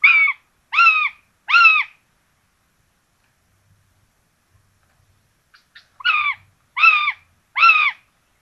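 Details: Two common buzzard chicks at their nest in Tiszalök, Hungary, on 26 June 2022, fed rabbit for breakfast. Three evenly spaced, downward-hooking harmonic notes, a pause of about four seconds, then three more.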